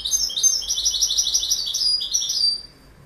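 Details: Goldfinch song: a fast, continuous stream of sweet twittering and chirping notes, bright and high, fading out at the end.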